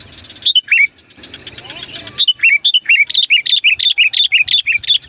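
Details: Sooty-headed bulbul, a loud mountain bird, sung to draw in wild bulbuls; a few sharp notes, a pause with faint murmur, then a fast run of about twenty bright whistled down-slurred notes.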